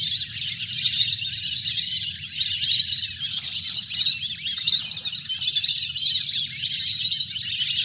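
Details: Wild duck flock, large and playing in water, sound used by hunters to call birds down; thick overlapping piping chirps throughout, pulsing in intensity, over a low rumbling backdrop.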